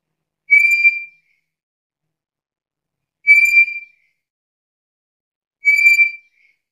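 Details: Black-capped lory, described as chatty and in full voice, giving three clear whistled notes. Each lasts about half a second and holds a steady pitch with bright overtones. They are spaced roughly two and a half seconds apart against near silence.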